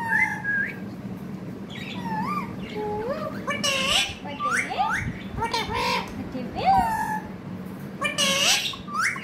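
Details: Pet parrot making sweet talking sounds: swooping whistled syllables, scratchy bursts and wavering chatter run together continuously, backed by a constant low hum.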